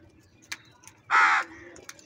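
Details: A single loud, drawn-out, grating caw from a crow quarrelling over food, followed by a short softer tail, against faint ticking background sounds.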